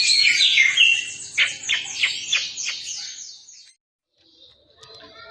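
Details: Greater green leafbird chorus, twelve chatty cucak ijo in free song: a busy high warbling jumble that breaks into four or five sharp downward-swept notes, then silence and faint twittering.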